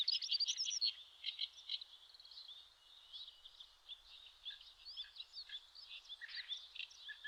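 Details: Eurasian skylark singing on a riverbed in Japan's Shin'etsu region in May: a rambling stream of high chirps, twittering trills and short whistled phrases, louder at the start, then softer and more scattered.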